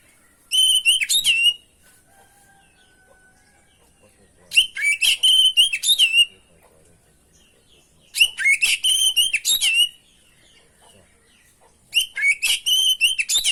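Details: Oriental magpie-robin (kacer) masteran lure song: four bursts of rapid, varied high whistles and buzzy trills, each about a second long, repeated roughly every three and a half seconds with quiet gaps between.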